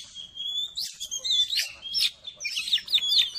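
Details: Oriental magpie-robin singing, meant to raise a kept bird's excitement; a short run of bright upslurred and downslurred whistles, rich and slightly harsh, delivered in quick succession.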